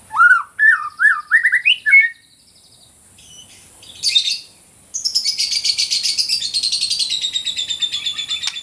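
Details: Caged songbird giving a quick series of rising whistled notes for two seconds, followed after a pause by a long, high, rapidly pulsing buzzy trill that continues to the end.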